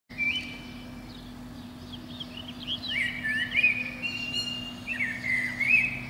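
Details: Common blackbird (Turdus merula) singing atop a pine under a window on a spring morning, between about five and seven am, with mellow, fluted phrases, slurred whistles and brief high twittery endings a few seconds apart, over a steady low hum.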